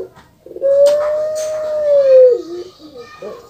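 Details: Caged puter pelung dove from Java, Indonesia: one sustained, smooth, gently arching coo of nearly two seconds, ending in a short lower gurgle.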